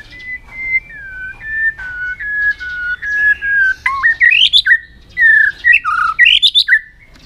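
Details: White-rumped shama, long aggressive display song with tail-flicking to stimulate other birds: smooth, steady whistled notes stepping gradually lower, then livelier rising and falling whistles with sharp upward flicks.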